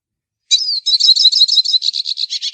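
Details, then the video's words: Singing hooded siskin: one rising-falling whistle, then a bright, busy stream of high chirps and jingling trills that carries on to the close, nothing else heard. "canto do pintassilgo baianinho"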